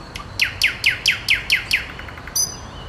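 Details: Nightingale singing: a phrase of seven loud, evenly spaced, sharply descending notes about every quarter second, then a brief high whistled flourish, over faint background hiss.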